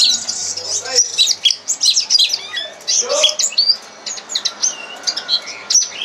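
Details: Red crossbill lesson song for teaching caged birds: a dense run of sharp high chirps and twitters, some notes sliding downward, delivered in rapid clusters with brief pauses, indoors with a faint low hum at the start.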